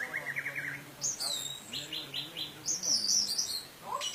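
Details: Indonesian orange-headed thrush singing a 'teler' style lure song with luxurious fill; a buzzy lower trill, then sharp high whistles, a run of four repeated descending notes and bright stuttering phrases, over faint low humming.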